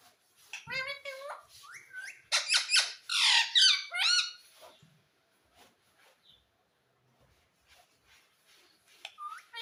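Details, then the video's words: Pet parrot indoors giving a burst of harsh, chattering squawks and rising screeches, then quieter short squeaks after a pause. "parrot voice || mitthu ki aavaj"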